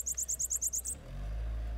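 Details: A captive bananaquit on its first outing after moulting sings a quick run of about eight thin, very high, sibilant notes in under a second, followed by a low rumbling background hum.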